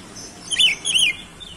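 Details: Oriental magpie-robin singing to provoke other birds: two loud arched whistled phrases less than half a second apart, with bright overtones, followed by a faint trailing note.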